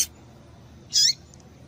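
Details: Female double-collared seedeater giving a single short, high, sharp chirp near the middle, sweeping downward, with faint softer notes after it, used to get a male to sing; quiet background with a brief click at the start.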